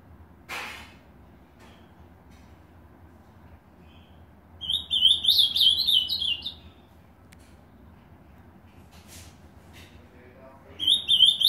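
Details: Ultramarine grosbeak in a house in Novo Hamburgo, Rio Grande do Sul, Brazil, sings two bright, warbled phrases of quick, sliding whistles, about two seconds each; a few sharp clicks come in between.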